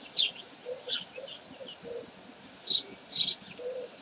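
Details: Common kestrels at Sägeweg on 12 May 2023 give short, sharp, high-pitched calls in irregular bursts, over a faint low murmur of background sound.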